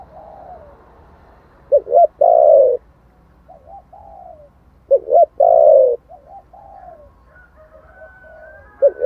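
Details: Spotted dove song of the 'thổ' type, meant to excite wild doves. Deep hiccuping double notes lead into long falling coos, with quieter trailing murmurs and a faint thin tone near the end.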